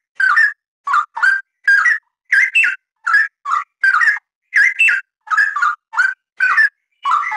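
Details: Straw-headed bulbul (Pycnonotus zeylanicus) sings rich, liquid, bubbling whistled phrases in quick bursts, each under a second, with brief gaps between and no other sounds, a dense, lively song used as a master recording to teach other birds.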